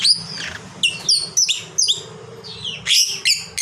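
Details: Long chatter from a fighter lovebird: shrill squeaks, each falling steeply in pitch, come in quick irregular bursts. A faint low hum sits in the background.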